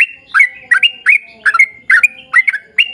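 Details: Lively long 'ropel'-style song of a sooty-headed bulbul, played to coax other bulbuls into singing: chirpy two- and three-note whistled phrases, some rising, given about twice a second in a steady chattering stream.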